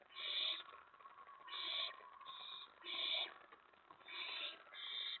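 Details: Owls at a nest as a mouse is delivered, early morning of 15 May 2017 at 4:46 AM; six raspy, breathy hissing screeches come in quick succession, roughly one per second, some longer and some clipped short.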